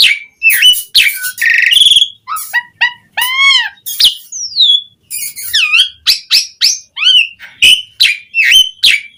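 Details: A lively Asian pied starling sings as a lure for starlings: a varied medley of a rasping buzz, squeaky upslurred whistles, a long descending whistle and quick clipped notes in a rapid, irregular sequence.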